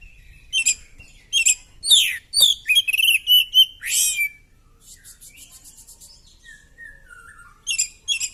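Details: Oriental magpie-robin singing in a fighting display with tail spread: loud chirps and swooping whistles, then a soft rapid trill, quiet descending whistles and final sharp notes.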